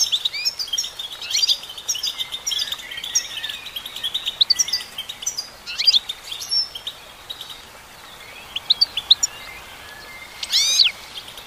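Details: Female goldfinch singing long twittering phrases of quick chirps and trills, a quieter stretch of sparse notes, then a final burst with a sharp rising sweep.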